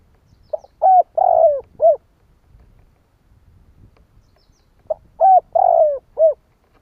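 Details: Spotted dove cooing in the Vietnamese kích bổi style used to provoke other doves: two identical four-note phrases about four seconds apart, each a soft lead note, paired short coos and a drawn-out falling coo.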